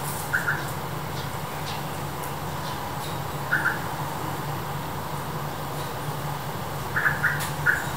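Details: A mother yellow-vented bulbul raising chicks gives short, bright double chirps, once early, once midway, then a quick cluster of three near the end, over a steady low engine hum.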